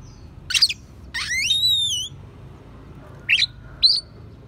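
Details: Oriental magpie-robin song carrying sparrow and prinia imitations, for teaching other songbirds: two scratchy chirps, a long sweet whistle gently falling, then two short clipped notes.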